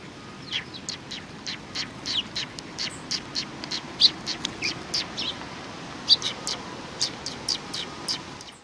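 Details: At a Tenmangu shrine on 24 April 2019, Eurasian tree sparrows come to be fed, giving a loose stream of high, brief chirps and twitters, some doubled, spread unevenly over faint background noise.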